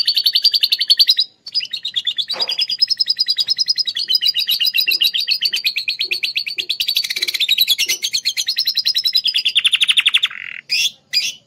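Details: Klaten canary whose song is filled with lovebird phrases, pouring out long rapid chattering trills with brief breaks, one lower buzzy trill near the end, and a couple of short sharp notes to close.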